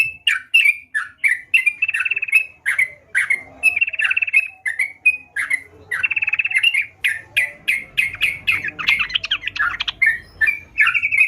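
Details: Energetic sooty-headed bulbul song: a long, continuous sequence of short, sharp, bubbly notes and brief buzzy trills, closely spaced throughout, becoming denser and more chattering toward the end.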